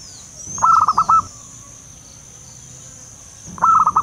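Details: Wild local zebra dove heard as a trapping lure: a brief gurgling, stuttered coo phrase repeated after three seconds, over a constant high-pitched insect drone.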